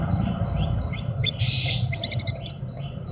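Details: Horsfield's bush lark, kept by a bird hobbyist, repeating bright high chirps about four times a second, with a brief buzzy burst midway and steady low background hum.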